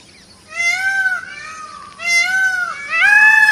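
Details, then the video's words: Indian peafowl, a peacock dancing, uttering three successive loud, mewing cries, each nasal and trumpet-like, running almost into one another with a faint hum underneath. "peacock's sound"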